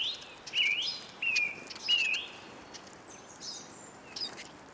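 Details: Hungry Eurasian siskins at a feeder in Kolmården, Sweden, filmed from the ground under the bird table: three clear, slurred whistled calls about every 0.7 seconds, dipping then rising, with softer twitters from other birds afterwards.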